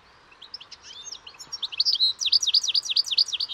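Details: European goldfinch song: scattered thin notes quicken into a fast, ringing series of repeated high twittering phrases, about three per second, growing louder.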